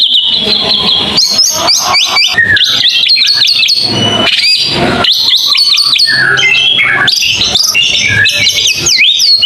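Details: White-rumped shama in a long tembakan song, dense and loud: rapid high chattering notes, sharp whistles and buzzy bursts packed together with scarcely a pause.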